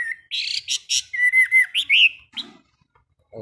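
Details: Caged Chinese hwamei singing in a morning training session, with buzzy notes followed by pure sustained whistles and a rising slurred phrase, then brief silence and a snippet of human voice.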